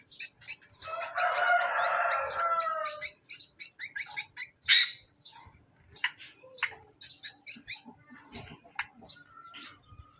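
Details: Song of a hand-reared greater green leafbird kept as a master bird: a rich warbled phrase early on, then rapid clicking chips and short whistled notes tumbling irregularly.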